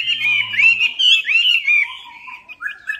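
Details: Wambi, the Chinese hwamei, singing a lure phrase: a quick burst of warbled, bubbling notes that fades into softer, lower whistles, with a low hum at the start.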